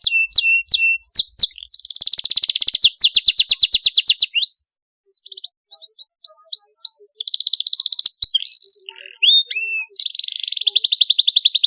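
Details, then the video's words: Canary song intended to get other canaries singing: sweeping whistles and long rolling trills of rapid repeated high notes, with a brief quiet gap midway before more trills. "Cuitan Kenari UNTUK Perangsang bunyi Kenari paud, Gacor ngeroll tajam untuk pancingan"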